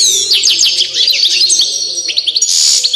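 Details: European goldfinch of the Balkan form Carduelis balcanica, described as a fiery goldfinch; lively tinkling song of rapid twittering notes, high trills and a sustained thin whistle.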